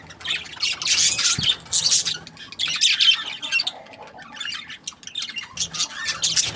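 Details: Budgies give bursts of raspy, high chirping chatter separated by brief quieter gaps, with a single soft thump early on.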